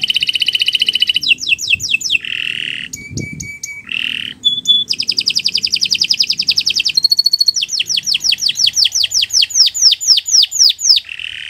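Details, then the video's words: Canary song meant as a tutor recording for training other birds: long varied sequence of rapid high trills, steady whistled notes, and repeated downward-sweeping chirps at a fast even rhythm. "Kicau Burung Kenari"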